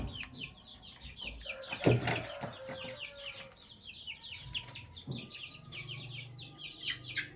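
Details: Sky blue opaline and cobalt lovebirds chirping in the morning: a dense, continuous stream of quick descending chirps, a louder knock near two seconds, and a faint steady tone underneath.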